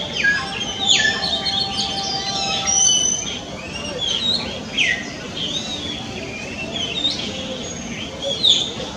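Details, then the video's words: Oriental Magpie Robin singing: steady run of varied clear whistles, sharp rising and falling sweeps and short chirps, high-pitched, with faint low hum beneath. "鵲鴝在叫Oriental Magpie Robin singing"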